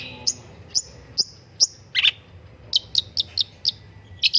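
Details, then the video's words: Long-tailed shrike master song to prompt singing: sharp high chirps spaced about half a second apart, then a quicker run of chirps near the end, faint hum below. "BURUNG PENTET GACOR - MASTERAN BURUNG CENDET - PANCINGAN SUARA PENTET"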